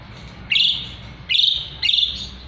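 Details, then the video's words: Asian pied starling in full voice, kept as a song tutor for magpie-robins: three loud, harsh, rasping bursts about a second apart, each opening sharply and trailing off, over a low background hum. "Jalak suren gacor isian murai batu auto nyaut"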